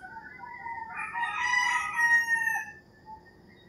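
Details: Rooster crowing in the early morning in rural Philippines: one drawn-out, harmonic-rich crow rising then falling over about two seconds. Fainter crows and bird whistles sound behind it.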